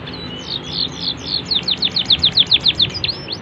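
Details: Canary singing a cengkok-style master song used to tutor young birds: a steady run of about fifteen bright, high, down-slurred whistled notes, evenly spaced and growing louder, ending with a rising whistle.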